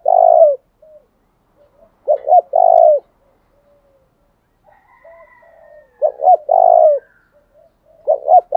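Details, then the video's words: Spotted dove used as a lure bird to provoke rivals, giving low hoarse coos around 600: two short notes then a long drawn note, repeated about every two seconds, with faint softer calls between phrases. "Tiếng chim cu mồi thúc đấu kích bổi hiệu quả/ kích là gáy"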